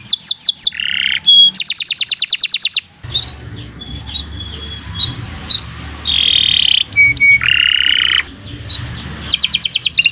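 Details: Canary singing for use as a master recording: quick swooping whistles and a rattling trill, then a noisier stretch with scattered whistles and harsh buzzy bursts at varied pitch.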